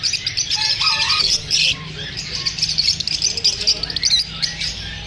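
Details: Lovebirds feeling unsafe during filming squawk and chirp in overlapping bursts: harsh high squeaks, a few short whistled notes, and steady shrill twittering from a group of birds.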